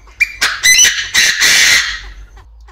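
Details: Caged Chinese francolin in an aviary crowing as a decoy call: a short rising note, then a loud, raspy run of several hoarse syllables ending in a long, ragged, fading rasp.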